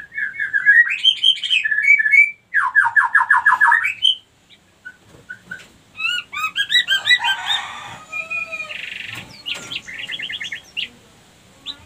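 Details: White-rumped shama lure recording, used to bring female shamas lacking breeding condition into heat and soliciting mating: rich, varied phrases of clear rising whistles, rapid chattering trills and buzzy notes in quick bursts, with brief pauses between.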